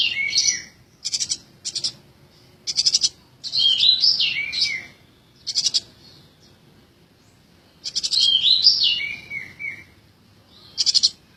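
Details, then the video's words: Eurasian tree sparrow, very tame and singing eagerly: scattered sharp high chirps mixed with twittering phrases of slurred, wavering whistled notes, in irregular spaced groups. "burung gereja jinak bangets gacor"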